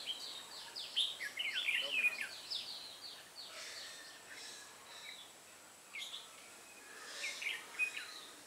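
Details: Red-whiskered bulbul used as a decoy during trapping on 8 October 2017, singing to lure wild birds: bursts of bright warbled, slurred notes in quick irregular phrases, then softer scattered chirps later, over a steady background hiss.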